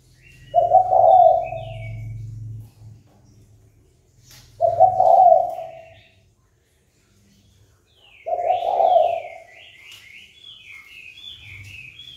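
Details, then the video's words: Spotted dove calling to provoke fighting: three low coos spaced about four seconds apart, with a low rumbling hum and bursts of high twittering from other birds, especially near the end. "Cu gáy chơi cực hay kích bổi đấu ngay!"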